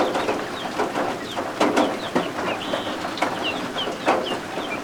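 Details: Several high, piping peeps from baby guinea fowl keets kept indoors under a heat lamp. The brief, downslurred notes come irregularly over a constant background of heavy rain and an occasional knock.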